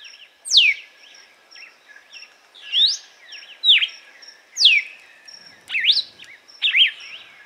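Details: Açoite song of a red-cowled cardinal, Paroaria dominicana, played to warm up and train birds: sharp downslurred whistles and rising sweeps in irregular groups, separated by brief quiet gaps, with a thin constant high background tone.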